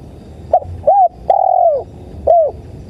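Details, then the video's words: Spotted dove (tekukur) playback for luring: a short note and a curved coo lead into a long, slightly falling coo, followed by one more rounded note, over soft low background noise. "MP3 SUARA TEKUKUR"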